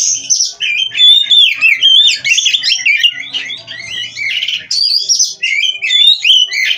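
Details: Oriental magpie-robin (kacer) from a breeding farm in full, nonstop gacor song: dense, unbroken stream of twisting whistles, trills and scratchy notes that shift quickly in pitch, with faint low background hum.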